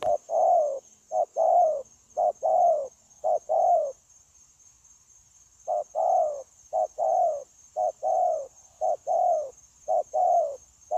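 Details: Decoy spotted dove used in trapping, cooing continuously on 9 January 2024. Mellow paired notes, a short hoot followed by a drawn-out descending coo, about once per second, with a pause mid-clip and a constant high hiss behind.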